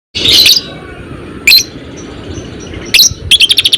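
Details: Fighter-type lovebird, with sharp high chirps at the start, middle and near the end, then a quick run of repeated chattering notes closing the sequence over a low background hum.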